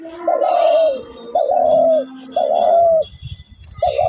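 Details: A caged dove gives four low, soft hooting coos (ghugu ghugu), each about half a second long and spaced roughly a second apart, with faint voices in the background.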